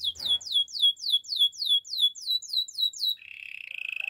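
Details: Russian canary repeating a loud downslurred whistled note about four times per second for three seconds, then switching to a fast, even buzzy trill.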